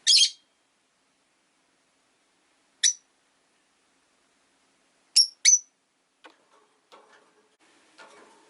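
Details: Five caged rosy-faced lovebirds kept by a window give sharp, shrill chirps: one harsh burst, then a single chirp and a quick double chirp, followed by faint clicks and rustling.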